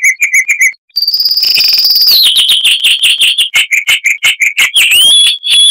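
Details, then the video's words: Loud 'Kristal'-type song of a chestnut-vented warbler: a few chirps, then a long, even, buzzy trill that slides down into quick sharp notes and ends in clear whistled upslurs. "Masteran Burung Luar Negeri Suara Asli Kristal HD - Chestnut-vented Warbler (Sylvia Subcaerulea)"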